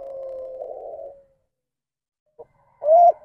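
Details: Spotted dove giving the ndanglong coo, a deviant style that strays from the standard call, which is blamed on close inbreeding. It opens with a long, steady low hum, then a pause, a tiny note and a short, rounded, rising-falling coo.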